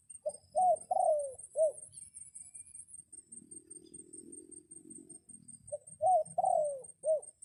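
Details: Red junglefowl kept as a decoy crows to attract wild junglefowl in rainy weather; two complete crows, a quick opening note, an arched second, a long sliding drawl and a short final note, separated by a soft low rumble.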